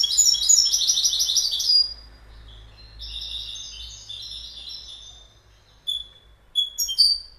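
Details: Goldfinch song opening with a dense, rapid twittering burst, followed by softer rambling high notes and a few sharp separate chips near the end.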